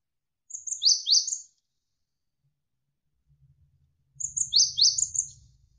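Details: Javan sparrow (gelatik wingko), a tutor song for training contest birds, with fast tight bursts. Two short phrases of high, sharply falling chirps, about a second each, are split by a pause. A faint low rumble of flowing water follows.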